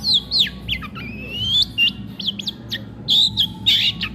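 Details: Long-tailed shrike, kept bird, singing even while eating: a varied run of whistled slurs, sharp falling chirps, and a long rising whistle, then buzzy rasping notes near the end.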